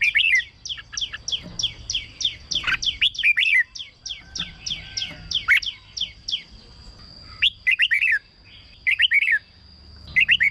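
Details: Caged red-whiskered bulbul song, used as a decoy or played to excite birds: long runs of rapid, bright, chirpy notes, then short warbled phrases after pauses, over a steady high-pitched whine.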